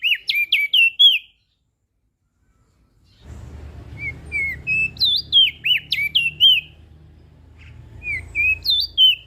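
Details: Lively, melodious song of a crested white-eye from Lombok, meant for training birds that rarely sing: rapid bursts of high, looping whistled notes, broken by a pause with a low background hum, then more fast twisting phrases.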